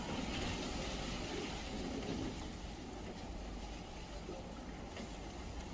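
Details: Steady low vehicle rumble from passing traffic fills the morning air, with faint voices underneath and no animal calls.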